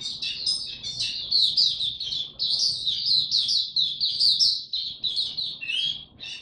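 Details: Oriental white-eye (mata puteh) being ramped up to form, opening its 'tiong aw' song, 3 January 2022: a continuous high, rapid stream of sweet twittering chirps and trills, with quiet low room noise beneath.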